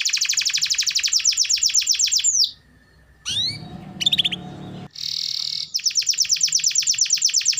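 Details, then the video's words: Lively canary song for coaxing a silent canary into singing: a fast, high, even trill, a short break with upslurred chips against low noise, then a buzzy roll and the rapid trill again. "Pancingan Suara Burung Kenari Gacor || Cocok Untuk Terapi Kenari Malas Bunyi"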